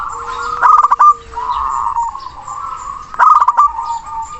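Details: Zebra dove of local stock, loud and long-winded, calling out to a rival: two strong rolling coo bursts about two and a half seconds apart, with steady background trilling and a thin held whistle.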